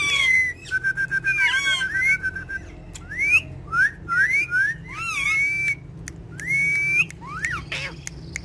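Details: Pet talking parrots perched on a charpai, giving clear whistled notes that slide up and down, some held and some looping, in quick bursts with short pauses, over a low steady hum.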